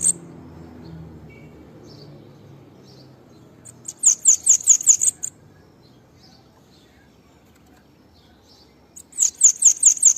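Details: Song of a bananaquit, a quick run of high piercing notes repeated in a tight series, then a pause with faint scattered chips, then another burst of the same bright, rapid phrase.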